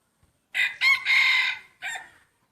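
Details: Main breeder rooster in a first crowing contest, giving one loud full crow: a brief opening syllable, a rising second note, a long strained middle, then a short dropped ending.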